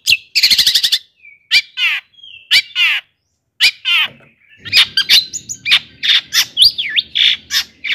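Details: Long-tailed shrike in full varied song, used to provoke other shrikes: a rapid buzzing trill, then slurred downward notes and scattered sharp chirps of changing shape, with faint low background rumble.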